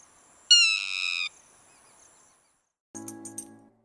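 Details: A Yellow-wattled Lapwing, a ground bird of dry plains endemic to the Indian subcontinent, gives its sharp call: a single high, slightly falling note under a second long, followed shortly by a lower, buzzy, rattling sound, possibly music.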